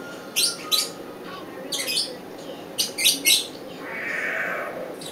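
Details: Young northern white-faced owl, dated 2011-09-10, uttering rapid noisy hissing calls in small clusters, some doubled or tripled, followed by a longer softer breathy hiss; quiet indoor setting.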